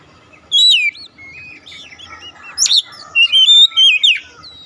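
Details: Song of an Oriental magpie-robin, played to prompt a quiet bird to start singing: a loud whistled phrase, softer warbling, a sharp high note, then a run of bright repeated whistles.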